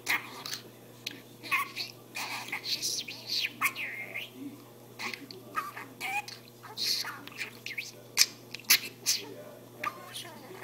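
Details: A talking budgerigar chatters in rapid, high, squeaky bursts of mimicked speech mixed with warbling chirps, over a steady low electrical hum.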